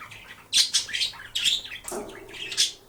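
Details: Pet male budgie toying with a disco ball in sunshine, giving rapid harsh chirps and scratchy squawks in quick bursts, several loud sharp peaks.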